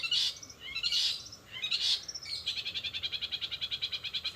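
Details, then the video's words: Long-tailed shrike in 'rol spid' style, with borrowed sparrow, sogon and canary phrases: three loud, broad harsh notes, then a quick even pulsing trill of about ten notes per second. "cendet rol spid"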